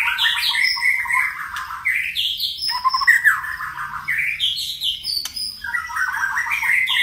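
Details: Energetic, varied song of a white-rumped shama: loud rising whistled phrases alternate with rapid chattering bursts and abrupt clicks, each phrase sweeping upward before breaking off, repeated at a brisk pace.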